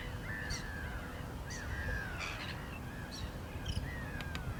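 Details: Black-winged stilt giving nasal, slightly drawn-out calls that dip and level off, repeated about once a second, with sharper high notes between them, over steady low wind rumble.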